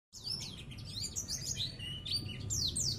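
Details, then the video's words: Champion oriental white-eye (pleci) at a neighbourhood-level contest. It gives a rapid, high twittering song of thin, sliding whistled notes. A low steady hum runs underneath. "pleci juara tingkat rt"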